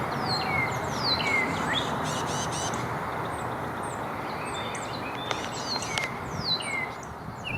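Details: Tufted titmouse giving another of its call types in forest along a hiking trail: high, thin whistled notes that slur steeply downward, repeated several times over a steady rush of background noise, with a few dry clicks.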